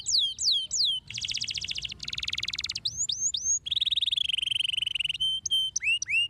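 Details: Canary song played to stimulate other canaries to sing: swooping whistles, two dense buzzy rattling trills, rising notes, a long warbled rapid trill, and clipped whistles ending in upswept notes.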